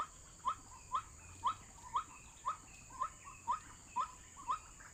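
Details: White-breasted waterhen heard on an MP3 lure for bird trapping: monotonous, rising "kook" notes about twice a second, nine of them, evenly paced against soft hiss.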